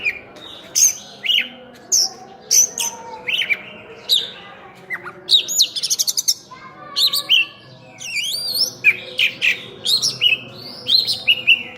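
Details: Kacer singing strongly in full-isian style: bright downslurred whistles repeated at a regular pace, a rapid stuttering trill, then a wavering warbled phrase before more clear whistles, with faint low background noise.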